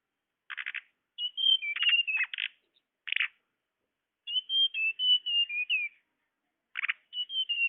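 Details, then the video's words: Blue flycatcher (tledekan) lure recording used to attract birds: clear whistled phrases of slurred, gently descending notes, broken by short buzzy chip bursts, with brief silent gaps between phrases. "Suara pikat burung tledekan"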